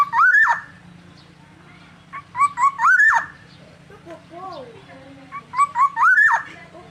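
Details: Black-naped oriole (kepodang, Oriolus chinensis) singing in lively gacor style: phrases of short clipped notes climbing into a loud, fluid rising-then-falling whistle, three phrases about three seconds apart, over a steady low hum.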